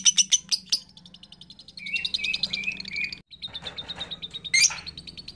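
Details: Young lovebird chattering in an uneven mix: a few sharp chirps, then quieter broken runs of squeaky notes with brief pauses and a final loud squeal.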